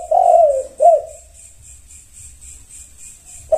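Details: Spotted dove (tekukur) responding to another bird: a clear drawn-out falling coo followed by a short rising-falling coo, then quiet, with a new coo starting at the end; steady high pulsing insect-like hiss behind.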